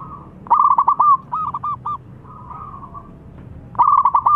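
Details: Vocal local zebra dove exchanging calls with a rival: a loud pulsed coo phrase, a softer answering series, a faint drawn note, then another loud rolling phrase.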